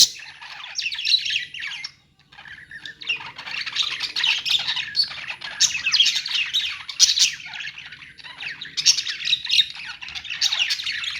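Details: Budgerigars kept in a pet store, continuous overlapping warbles and scratchy chirps, a short quiet gap near two seconds, then a fuller, louder chorus.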